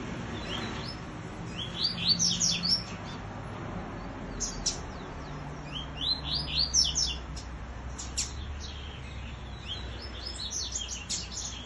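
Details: Double-collared seedeater with an unusual song, competing with a free bird: two bursts of quick, high, sweeping whistled notes, descending and rising, several seconds apart, over a low background hum.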